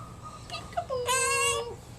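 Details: An 11-month-old talking monk (Quaker) parakeet, recorded indoors on April 30, 2010, talks in a thin, nasal voice: short speech-like syllables, then a drawn-out harmonic note sliding downward at the end.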